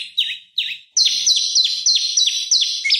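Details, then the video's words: Short burst from an olive-backed tailorbird used as a lure for oriental magpie-robins: two spaced falling notes, then a quick loud series of high, sharp downslurred chips. "Prenjak Lumut Gacor Bikin Lawan Emosi Masteran Pancingan Prenjak Lumut Untuk Murai Batu"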